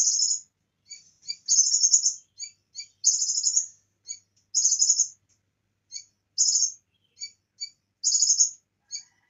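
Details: A bar-winged prinia sings very high, thin notes: short sharp chips alternating with rapid buzzy trills about once a second, mixed with phrases borrowed from other birds' songs, including cililin mimicry.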